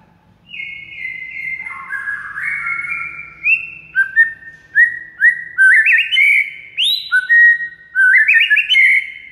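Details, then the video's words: White-rumped shama master song played to make silent birds sing: a long descending whistled slur, then rapid repeated rising whistles with high chips, loud and clean. "DALAM HITUNGAN DETIK MURAI BISU AUTO GACOR DOR DENGAR MASTERAN SATU INI"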